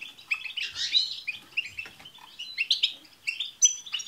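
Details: European goldfinch group song with tsts calls, intended to make a pet goldfinch sing; quick bright twitters and a buzzy burst early on, followed by tinkling notes and a thin whistled tone near the end.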